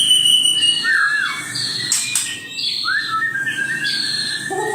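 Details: Male white-rumped shama singing aggressively as a lure: long slurred whistles sliding down and up, a sharp harsh burst near the second mark, then more drawn-out whistled phrases with faint background noise.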